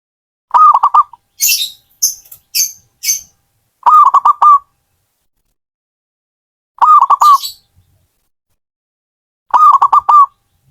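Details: Song of a hobbyist's zebra dove (perkutut): four rhythmic phrases of fast, knocking coos closing on a held note, spaced roughly three seconds apart, with sharp hissing bursts after the first phrase.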